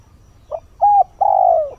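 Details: Spotted dove kept as a lure, cooing at dawn to draw in wild birds; a short soft note, a steady hollow coo and a long falling coo are heard against a quiet background.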